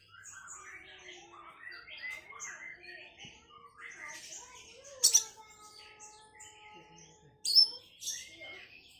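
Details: Sunda bush warbler singing, a sustained tonal whistle held for about two seconds among varied chirps and twitters from other birds, with brief sharp high notes breaking through.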